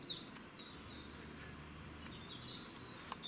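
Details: A coal tit (Periparus ater) sings in Cambridge, UK, on 2 June 2020: thin, high, quick notes at the start and again near the end, over a steady low background hum.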